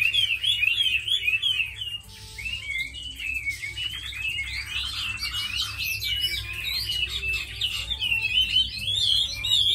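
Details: Tame Chinese hwamei, praised as a good fighter and singer, alternating clear looping whistles with dense, rapid warbling that grows louder and busier toward the end.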